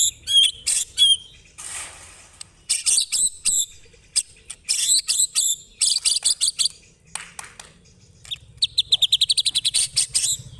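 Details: A white-rumped shama's rough chatter (ngekek): a mix of sharp whistled notes, scratchy buzzing bursts and clipped ticks, ending in a long, fast, steady rattle of high notes.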